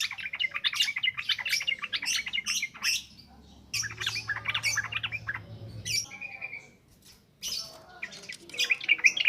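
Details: Yellow-vented bulbul singing in the continuous wild ngropel ngalas style, used as a lure for training young birds: bubbly, gurgling phrases of quick chattering notes, with short pauses between bursts and faint low hum underneath.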